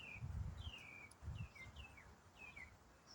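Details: Songbird singing in autumn: long, sliding, descending whistles alternate with shorter slurred notes, while low thuds sound beneath.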